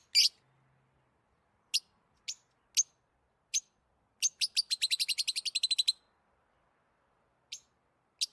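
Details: Lovebirds chirping with excitement: a harsh opening double chirp, scattered single high chirps, then a fast run of about fifteen evenly spaced sharp chirps lasting under two seconds, and two more isolated chirps after a pause.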